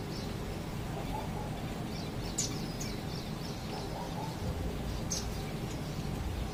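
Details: Indian silverbill calls from Bhopal: short, high, thin chips in loose clusters, with several sharp clicks, set against a constant low rumbling background noise.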